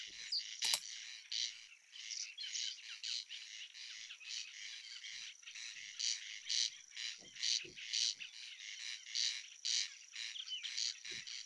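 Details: Corn crake at night, recorded during nocturnal sound monitoring: a dry, rasping, very low repetitive call about twice a second, with faint high whistled notes of other birds, possibly thrushes, calling in the night background.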